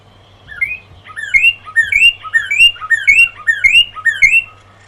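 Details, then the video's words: Northern cardinal singing from a high shrub branch at dawn: a repeated two-part phrase, a lower slurred note then a higher upslurred whistle, given about seven times in a loose rhythm over a low steady hum. "At Dawn. I Hear the Sounds of the Northern Cardinals."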